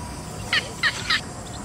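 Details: A quick series of three coarse, clipped notes from a yellow bittern (Ixobrychus sinensis), evenly spaced about a third of a second apart, against a buzzing insect background.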